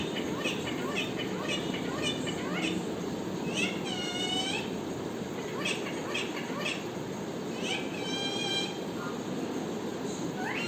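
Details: ['Parrot calling repeatedly: bursts of short, rising and falling harmonic notes, some quick chattering clusters, continuing throughout against constant background hiss.']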